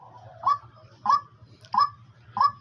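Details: A captive female partridge, said to call day and night, gives four harsh, nasal notes that rise then drop, about two every second, over a low steady hum.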